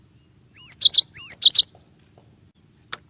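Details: Cinereous tit, gelatik batu, with a clear voice: two pure high whistled slurs, each followed by a pair of fast chattered notes, then a lone faint click.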